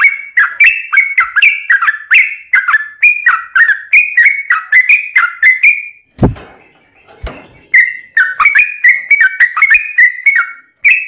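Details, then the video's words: Yellow-vented bulbul, long continuous chattering song used to lure other bulbuls into singing: rapid bubbling whistled notes repeated several times a second, briefly broken near the middle by a pause with a couple of dull knocks, then resuming. "trucukan gacor TARUNG ROPEL PANJANG buat pancingan trucukan agar bunyi"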